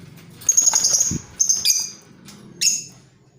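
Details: Creamino lovebird calling as a lure for training other birds, in ngeriwik and ngekek style; three sharp screechy bursts, the first drawn out, over a low background hum.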